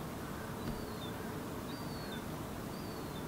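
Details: Herring gull fledgling in Helsinki, Finland, July 2016, walking toward its parent as the adult drinks from a puddle: thin, high, downslurred whistles, three in about three seconds, faint over steady low wind or traffic rumble.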